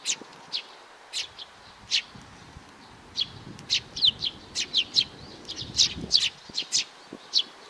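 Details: Young sparrow giving sharp high chirps, scattered at first then coming faster and overlapping in quick runs of two or three, with faint low rustling beneath.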